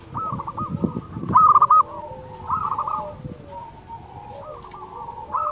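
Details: Singing local zebra dove, used as a master to provoke quiet doves into song: a loud short run of quick pulsed coos early on, followed by fainter rolling phrases from other doves nearby.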